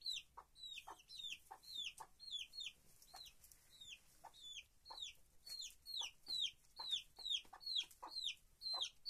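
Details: Chickens in a rural henhouse, living free in the countryside: a steady stream of sharp, high-pitched peeps falling in pitch, roughly two per second, several birds calling together.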